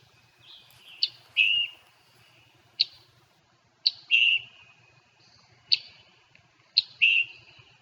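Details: At Natural Tunnel State Park, a Scarlet Tanager gives its two-part chick-burr call: a sharp, high 'chick' followed by a hoarse, burry 'burr'. It repeats about every three seconds with a few extra chips between.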